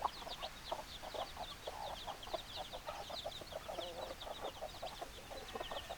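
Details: Hens and roosters clucking as a group, steady stream of short low clucks overlapped by faint high peeping, fairly even level throughout.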